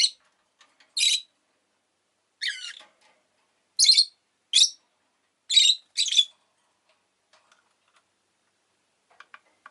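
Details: Rosy-faced lovebird kept as a pet, giving harsh, high, buzzy chirps in short bursts, several spaced about a second apart, sometimes doubled, with quiet gaps between.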